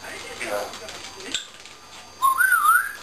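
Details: Pet African grey parrot indoors, calling out after its owner leaves the room; soft rustling, then a single clear whistle that rises, dips and rises again in a wavy line, lasting under a second.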